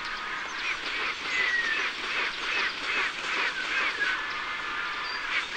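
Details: Griffon vultures (Gyps fulvus) in Iberia give harsh, hissing, cackling calls in rapid, uneven bursts.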